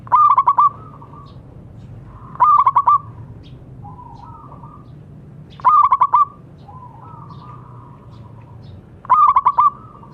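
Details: Local zebra dove in strong song, used as a training sound for doves that have gone quiet. Four rapid, rolling bursts of mellow coos fall about three seconds apart, separated by softer rising-and-falling drawn notes.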